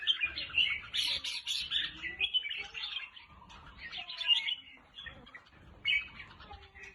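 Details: Red-whiskered bulbul song played to excite caged birds or for decoying: bursts of sharp, bright chirps and fluty warbled notes, overlapping voices with brief gaps, the loudest flurries at the start and around the fourth second.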